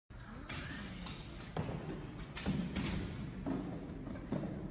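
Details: Irregular dull thuds and knocks sound in a room, with a faint voice underneath and no animal call.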